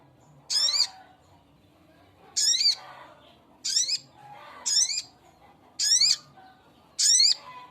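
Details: Male spiderhunter (sogok ontong) calling to a female: six harsh, buzzy notes with stacked rising overtones, each about a third of a second long, given roughly every second and a quarter over a quiet background.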